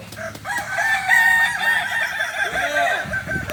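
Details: Kukuak Balenggek rooster crowing in Ampang Kualo, Kota Solok, Indonesia, at a shared training session; a loud, drawn-out crow of rolling, repeated syllables carries on for over three seconds.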